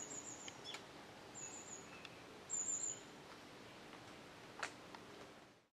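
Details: Fledgling Japanese tit, out of the nest since the previous day, perched in a nearby tree on a July 5, 2013 morning while a parent brings food; thin, very high, hissy calls in three short bursts about a second apart, faint background.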